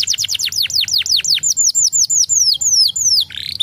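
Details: Canary song meant to stimulate other canaries: a long series of bright, steeply falling whistled notes, fast at first then gradually slowing and spreading out, finishing with a brief harsher burst.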